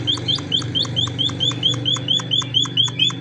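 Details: Emprit finch gacor isian song: evenly paced sharp chips, each sliding down in pitch, repeated steadily over a constant low mechanical hum.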